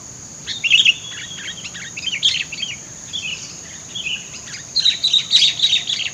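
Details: Sooty-headed bulbul in bushland, recording used to lure birds: bright chirpy notes in short bursts, with a rapid run near the start and a longer warbled phrase near the end, over a steady high insect drone.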